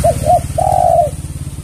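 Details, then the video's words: Spotted dove coo used as a lure for other doves: two quick short coos followed by one long, level, mellow coo, over a steady low hum. "Pancingan Tekukur Semua Pasti Merespon"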